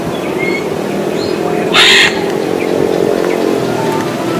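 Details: A loose macaw perched in a tree gives one harsh, raspy screech lasting about a third of a second, over a steady low hum and a few faint thin whistles from smaller birds.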